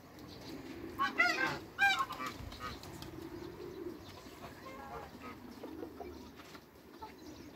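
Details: Farm geese of the African and Toulouse breeds meeting newcomers give two loud, ragged honking bursts close together early on, then fade into a quieter, scattered murmur of distant calls.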